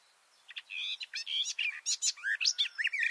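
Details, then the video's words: Garden warbler (Sylvia borin) singing hidden in a bush, recorded up close with microphones about two metres below it, pours out a fast, sustained warble of mellow, varied notes tumbling up and down for nearly three seconds. "garden warbler song (Silvia borin)"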